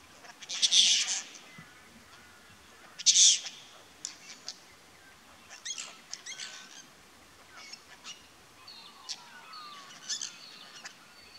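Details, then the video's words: A small flock of social apostlebirds at a small creek, approaching timidly to drink: two loud, harsh, grating rasps, followed by softer scratchy chatter and brief high chips from the group. "APPOSTLEBIRDS - Chatterboxes of the Bush"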